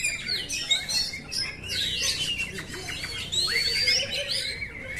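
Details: Oriental magpie-robin song prepared as a simulation for training caged birds, with a steady chatter of high notes and a long sustained whistled phrase midway through.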